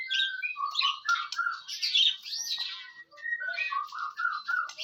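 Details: White-rumped shama song to provoke other shamas into singing: softer, dense jumble of warbles, whistles and buzzy notes, continuous with few breaks.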